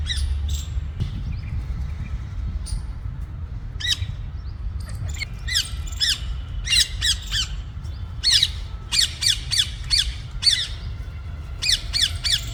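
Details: Uncaged parrot hens playing together, giving harsh, loud squawks, single at first then in rapid clusters of several, over a low rumbling background.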